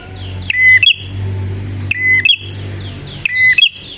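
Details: Bar-winged prinia singing, recorded as a lure for wild prinias. Three phrases about every 1.4 seconds, each a clipped note, a steady piercing whistle and a quick rising trill drawn into a thin held tone. A low hum sounds throughout.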